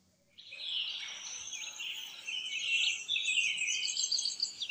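Indigo Bunting giving a dense run of high, sharp chirps and twittering notes that carry on without a break for over four seconds.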